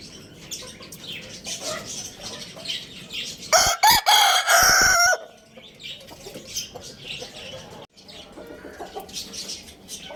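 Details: Lohmann Brown rooster crowing at Lalukhet bird market. A loud crow of about one and a half seconds opens with brief broken notes and then holds a harmonic tone, surrounded by constant high chirping from many caged small birds.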